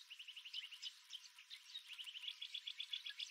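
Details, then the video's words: Early morning desert birdsong on the rim of Wolfe Creek Crater, Kimberley, Western Australia, GoPro Max 360 recording: rapid series of sharp, evenly pulsed chirps, about four per second, with higher whistled notes over a steady chorus. "Bird Sounds"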